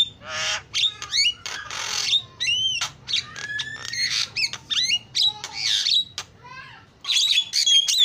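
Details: Javan myna pouring out a varied isian song: noisy rasps, slurred whistled glides and a long level whistle, packed closely together with brief gaps throughout.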